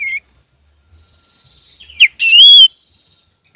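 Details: Male common iora singing energetically, used as a lure to provoke other birds: short high whistled notes, then a sharp falling note and a rising-falling whistled slur, with brief pauses between phrases.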